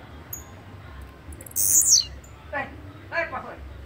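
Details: Short, shrill, buzzy song of a blue-black grassquit, lasting about half a second. Two lower, nasal calls follow about a second later.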